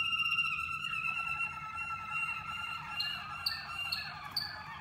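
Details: Waterslager canaries in training to develop melody, tone, depth and tempo. Smooth sliding whistled notes fall gently, then sharp high chirps punctuate the rolling song about once a second.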